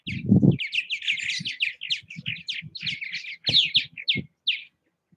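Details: Purple martins around nest houses in Southwest Missouri keep up busy chattering, a steady stream of rich gurgled and croaking chirps, with a loud low thump at the start and scattered knocking sounds underneath.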